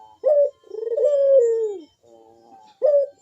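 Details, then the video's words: Puter dove giving a loud, sharp bekur coo while perched, used as a lure to prompt other doves to sing: a short rising note, then a long mellow descending coo, and another short note near the end. "Burung puter Rajanya bikin gacor‼️suara Bekur besar super tajam manggung merdu mengundang bunyi"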